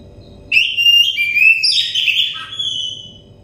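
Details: Oriental magpie-robin, a stressed bird, heard in a therapy recording meant to make it sing: a loud whistled phrase of sliding, warbling notes that rise and fall, lasting about three seconds, over a faint low hum.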